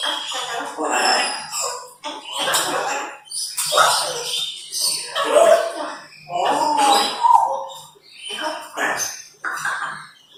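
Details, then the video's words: Talking parrots, including African grey parrots aged 4 and 9 years, as pets in a small room: bursts of raspy, speech-like babble with occasional clear whistled notes, overlapping irregularly every second or two. "Parrot Party: Chaos & Chattering | Multiple Talking Parrots"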